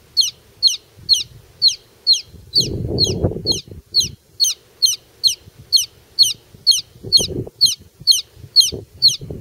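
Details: Young chicken chick out on grass giving a continuous series of shrill descending peeps, roughly two each second and very regular, over faint low thumps and a brief burst of rustling noise partway through.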